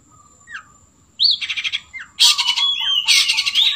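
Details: Long-tailed shrike singing with mimicry of sooty-headed bulbul: clear slurred whistles, some rising and some falling, alternating with harsh, rapid chattering bursts.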